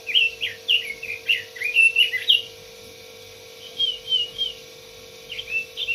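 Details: Red-billed leiothrix song: a lively string of quick, bouncing whistled notes for about two seconds, then a pause and shorter fluty phrases. A steady hum is in the background.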